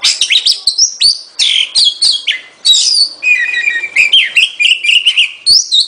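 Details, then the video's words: Oriental Magpie-robin singing a loud, varied run of sweet whistles, slurred rising and falling notes and sharp chips, delivered in quick phrases with brief pauses. "เสียงนกกางเขน ร้องชัดเสียงชัด"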